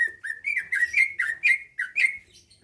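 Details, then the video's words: Caged greater green leafbird in Pasuruan, Indonesia, in full song meant to provoke rivals to reply and fight: a rapid run of loud whistled notes near one pitch, each with a bright rising-falling slur, about two per second. "Cucak ijo lain liat dan dengar kicauannya bakal nyaut+gacor+tarung"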